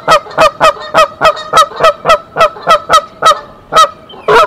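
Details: A brooding mother goose at Decorah, 27 March 2023, sounds the alarm and the father goose comes to the nest. An even run of blaring honks, about three per second, ending in a louder, messier note.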